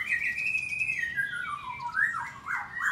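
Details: Morning song of a white-rumped shama kept at a breeding farm in Bogor, in its aviary: a long steady whistle sliding slowly downward, then swooping, rich warbled notes rising and falling.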